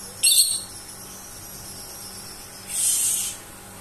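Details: Pet lovebird that always asks to be hand-fed at mealtimes even with plenty of food in its bowl; two very high, thin, hissy squeals, a sharp one followed by a longer drawn-out one, in a quiet room.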